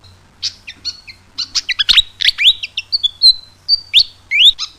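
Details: Javan flycatcher singing in the morning: a lively jumble of high, sharp chirps and short rising and falling whistled notes, delivered in quick irregular bursts.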